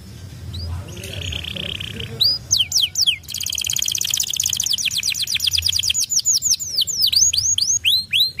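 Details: A Kenari Pocong canary sings fast, ringing trills of rising and falling whistled notes to set other canaries singing.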